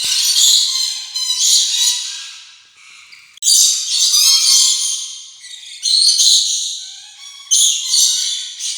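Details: Rainbow lorikeet giving repeated grating, buzzy screeches in four long bursts, each fading away, with faint higher whistled tones between them.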